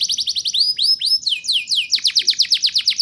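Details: Vigorous domestic canary song in the rolling, high-shooting ngerol nembak style, used to prompt young canaries to sing: rapid buzzy trills, then a run of sweeping downslurred whistles, ending in fast even pulsed notes.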